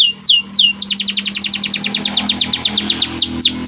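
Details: Canary song for training other birds: two swooping downslurs open, followed by a fast rattling series of about four chirps per second, ending with more falling sweeps over a faint low hum.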